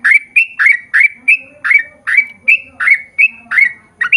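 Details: Lively yellow-vented bulbul ropel song meant to prompt other bulbuls to answer: rapid bubbly, chattering notes around three per second, each with a short upward flick, with faint low rustling beneath.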